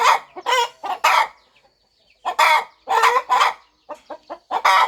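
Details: Nesting mother hen on a farm, about to hatch her eggs. Loud throaty clucks in short clusters, separated by a pause of about a second, with a few softer clucks between.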